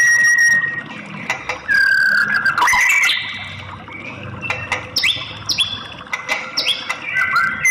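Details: White-rumped shama, presented as a female call to stimulate a male to sing; varied whistles and slurred notes, followed by a series of repeated rising high chirps in the second half.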